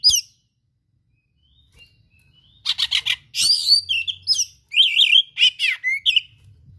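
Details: Full, imitation-laden singing from an oriental magpie-robin: after a silent start, rapid bursts of buzzy, scratchy notes give way to looping whistled phrases and sharp chirps, closely spaced and loud.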